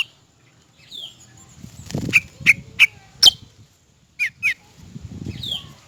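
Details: Cucak rante, male and female, natural wild-type sound: sharp whistled notes sliding down, a cluster of four loud ones around mid-clip and a pair near the end, with soft low rustling between them.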